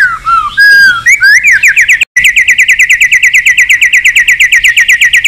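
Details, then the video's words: White-rumped shama in competitive song meant to provoke other birds: a few varied whistles, a brief break, then a fast, even series of sharp rising notes repeated about three times per second. "chòe lửa hót cực căng kích chim yếu lửa hót ,kích chim hót đấu, luyện giọng chòe lửa hót"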